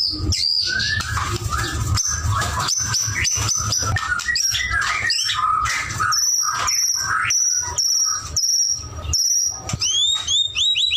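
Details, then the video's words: White-rumped shama in vigorous song: varied busy phrases, then a series of high steady whistles repeated about every half second, ending with sharp rising sweeps; steady low hum behind. "murai batu gacor"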